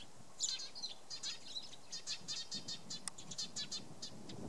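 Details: Eurasian tree sparrows occupying nest sites in spring, 30 March 2015, Tatyshev Island, Krasnoyarsk, Russia. Many short high chirps are repeated in quick bursts and overlap, with faint low background rumble.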